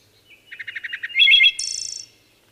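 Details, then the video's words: A single wood thrush song phrase. A run of short, low, evenly spaced notes leads into a bright fluted flourish, which ends in a high, thin, buzzy trill. Quiet surroundings. "Wood Thrush Bird Singing"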